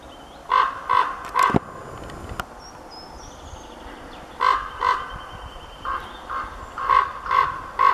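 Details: Male common raven with a female calling in the background: groups of two to three hoarse, croaking notes separated by pauses, a couple of sharp clicks near the start and faint thin whistles from other birds.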